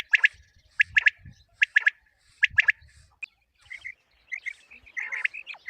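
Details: Common quail calling for quail hunting: clipped three-note phrases repeated about once a second, followed by softer chirps from other birds toward the end.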